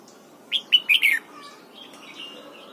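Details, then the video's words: A red-whiskered bulbul, trained to sing in the morning in the 'double-note' wild style, delivers a fast four-note whistled phrase dropping at the end, followed by faint softer notes and light background hiss. "Luyện giọng chào mào hót sáng, ép chào mào hót âm kép già rừng hay tuyệt!"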